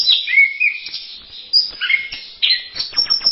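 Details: Masteran song of the orange-headed thrush (anis merah): a quick high whistled opening, a sliding mid-pitched note, then sharp chips and a rapid warbled run, about three to four notes per second.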